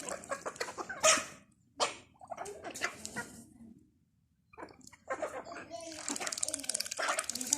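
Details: Ducks eating, giving short, nasal, raspy quacks in uneven bursts, followed by wet splashing and dabbling noises.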